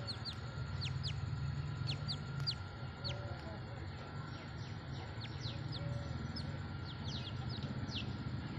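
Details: Grey francolin calling: a run of brief, sharp descending notes, high and repeated in quick bursts, over a steady electrical hum and low rumbling background noise.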